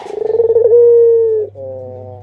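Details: Barbary dove, one of a captive family of adults and chicks, gives one drawn-out coo: a fast throbbing start swells into a smooth steady note that fades downward, followed by a low buzzing hum.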